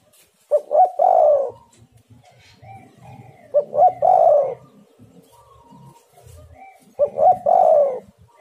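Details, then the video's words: Spotted dove used to lure wild birds, giving three coo phrases spaced about three seconds apart. Each phrase is two short notes and a sustained falling coo, with low background rustle and faint bird chirps between. "tekukur super gacor suara untuk pancingan semua burung"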